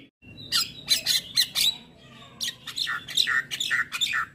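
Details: Javan myna tutor song for morning playback: dense, harsh chatter of scratchy squawks mixed with shorter whistled notes, continuing almost without a break.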